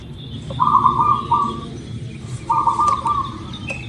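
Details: Indonesian local zebra dove sung as a lure to make birds sing fast: two purring, bubbling coo phrases of about a second each, separated by a short pause, with soft background bird chirps and clicks.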